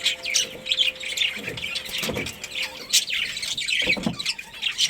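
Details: Chirping from a budgerigar colony: continuous warbling twitters and raspy squeaks, with occasional low thumps and a faint steady tone.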